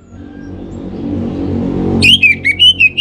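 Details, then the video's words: Orange-headed thrush (anis merah) kept in North Bali gives lure song: a sharply rising whistle, then several wavering, warbled notes, while a low rumble like a passing vehicle swells beneath. "Spektakuler Kicauan Burung ANIS MERAH Pancingan Bikin Teler"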